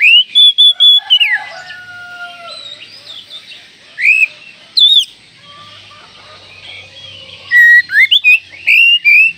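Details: Oriental magpie-robin call meant to rouse other magpie-robins: runs of sharp whistled notes open and close the passage, with a few drawn-out falling whistles and softer chatter in between.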